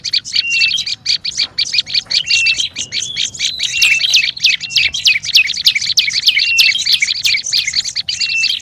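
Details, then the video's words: Noisy olive-backed tailorbird chatter used to lure birds: rapid, harsh chipping repeated about three times a second, with occasional short whistled strokes and looping notes. "SUARA PIKAT BURUNG PRENJAK LUMUT RIBUT PALING AMPUH"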